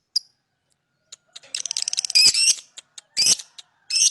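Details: Lovebird giving a lone sharp chirp, scattered ticks, then a loud, dense, buzzy chattering burst and further harsh high squawks.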